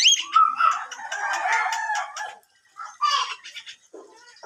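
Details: Javan myna in full, lively song: a jumble of harsh, chattering and whistled notes packed tightly for over two seconds, a short pause, then another scratchy burst and a lower rasping note.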